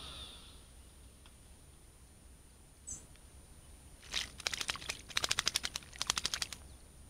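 A thrush gives a dry, harsh rattling chatter: bursts of rapid clicking notes, about a dozen in quick runs, after a quiet start with a faint high whistle.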